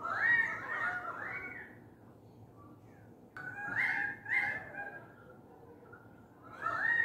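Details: Big, noisy Australian magpies and currawongs gathered outside a window; loud warbled, descending and rising fluted phrases open the recording, a quieter lull follows, then more bursts of gurgling calls and a final rising phrase.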